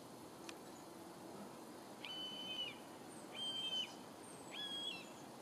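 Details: A common buzzard in the sky above an Edinburgh garden in late summer 2020 gives three thin, drawn-out mewing whistles, each held level then dropping at the end, about one a second, over a soft steady outdoor hiss.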